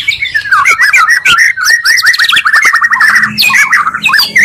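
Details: Oriental magpie-robin lure combining two songs to raise rival birds' agitation: rapid repeated whistled notes in a tight, steady series, mixed with higher squeaky chirps.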